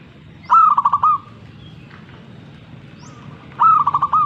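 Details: Perkutut, the zebra dove, gives two cooing phrases about three seconds apart. Each is a rapid string of low, rolling pulses closing on a slightly longer held note, with a steady low rumble between them.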